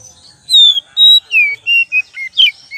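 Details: Oriental magpie-robin song used as a lure recording: a string of loud, clear whistled notes, some slurring downward and others flat or rising, given in separate bursts about every half second, with near-silent gaps between.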